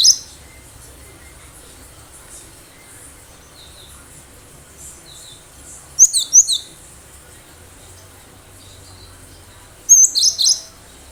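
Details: Cinereous tit, wild and singing well, used to draw responses from other birds: well-spaced bursts of three or four high, sharp chirps, with faint thin notes in the quiet gaps.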